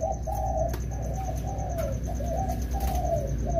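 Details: Two wild-caught spotted doves in rainy-season training utter a rippling series of low cooing notes, partly masked by a heavy deep rumble and occasional clicks.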